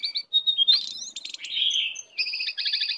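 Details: Oriental magpie-robin, wild and coming in to attack, gives clear whistles, a fast rattling burst and a buzzy phrase, then crisp repeated two-tone notes in quick succession.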